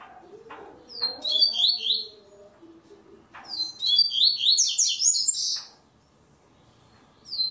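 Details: Double-collared seedeater, a steel-breasted coleiro, singing in an online web tournament stage: two loud bursts of rapid high whistled and trilled notes, each about 1.5 seconds, with brief low murmurs between.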